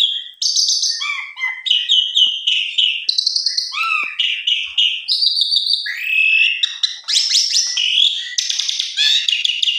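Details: Male-vs-male provocation: an Asian pied starling (jalak suren) agitated into a long, rapid medley of clear whistles, harsh chatters and squeaky notes, barely pausing, with no other sounds.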